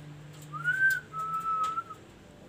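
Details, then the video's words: Ashy tailorbird: an arched whistle followed by a longer, flat, slightly wavering whistle, over steady low hum and room noise. "KASO KASO GACOR BRO"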